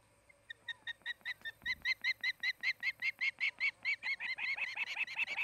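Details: Osprey at a nest near Charlo, Montana, where a pair is building a nest and mating; a long run of sharp whistled chirps, about two to three per second, growing louder and slightly rising toward the end.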